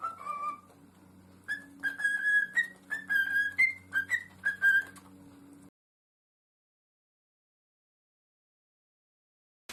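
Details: Pet parrot whistling a short series of clear tonal notes, some rising, in a run of about five seconds, with a steady low hum underneath, then silence.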